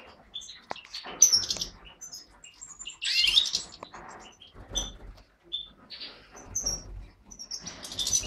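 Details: Aviary pair of mutated European goldfinches, a satiné male carrying white-head and a yellow parva female. Scattered short high chirps and twitters come between quiet gaps, with some fluttering and rustling noise.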